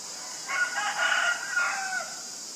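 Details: Common myna, Acridotheres tristis, in Ubon Ratchathani, Thailand, on February 24, 2022, filmed with a Nikon P1000: a harsh, rough call of about one and a half seconds in several linked phrases with a steady whistled tone inside, over constant high insect hiss.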